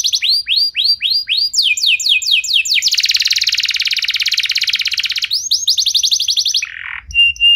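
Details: Trigger song of a canary meant to set other canaries singing. Repeated downward-sweeping whistles speed into a long, dense rattling trill, then more quick sweeps, ending with a short low buzz and a thin steady whistle.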